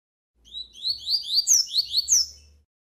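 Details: A tutor double-collared seedeater (coleiro) sings a "tui tui" song with an opening trill, used to teach and train young males: a quick run of high, sweeping whistled notes, about seven slurred phrases in two seconds.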